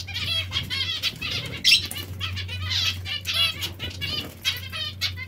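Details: Zebra finch or Bengalese finch at bath time: a run of short nasal, buzzy chirps, repeated rapidly over splashing and wing flutters, with a low steady hum beneath.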